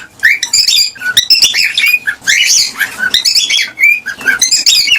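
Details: A gray cockatiel chirps and warbles continuously in bright, high-pitched bursts.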